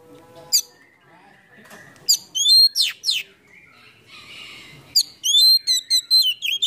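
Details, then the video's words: Oriental magpie-robin singing a song full of fill-in phrases with its tail fanned in a cobra-like pose. Sharp high notes and steep downward sweeps stand out over faint chatter, ending in a fast series of ringing whistles. "PANCINGAN KACER ISIAN FULL BUKA EKOR NGOBRA"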